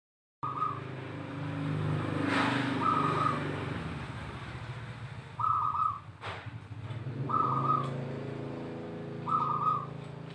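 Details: Zebra dove song used as a lure to prompt other doves to sing: bright, rolling cooing bursts about a second long, repeated every two seconds or so, over a steady low engine-like rumble.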